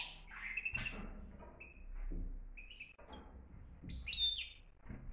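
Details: Moroccan goldfinch singing a strong 'btbta' style song: scattered short chirps and twittering notes, some sharp high, others mid-pitched, broken by pauses over steady low background rumble.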